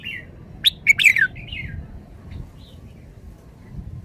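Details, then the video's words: Red-whiskered bulbul singing a short loud phrase: two sharp notes then a warbled, descending flourish, followed by softer quieter notes; faint background hum. "นกกรงหัวจุก จ้าวคำหมาน"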